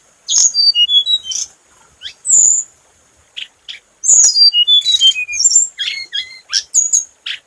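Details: Scarlet minivet lure song with rapid series of high whistled notes stepping downward, interspersed with buzzy bursts and a few shrill, emphatic whistles.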